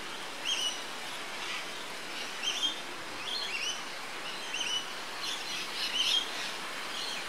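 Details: Yellow honeyeater recorded 20 October 2013 at Port Douglas, Queensland, Australia, on a Panasonic Lumix GH3: short, bright chirping notes come in scattered bursts every second or so over a steady hiss of background noise.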